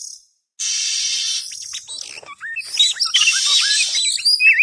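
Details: Oriental magpie-robin lure call for trapping birds: a long harsh, hissing rasp gives way to a lively jumble of short whistled notes, chirps and slurs, growing louder toward the end.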